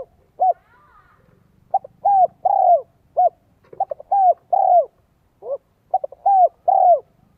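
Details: Spotted dove of the 'giọng son, 1 cốt lỡ' voice, sung to call in wild doves: mellow cooing phrases of short clipped notes leading into longer downward-curving coos, several groups with brief pauses, quiet background.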